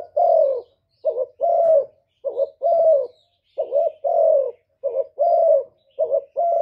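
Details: Spotted dove in the 'thổ thúc' voice style, cooing and calling to provoke wild doves: mid-pitched hooting coos in close pairs, a short rising note then a longer falling one, repeated steadily about every second, no other sounds.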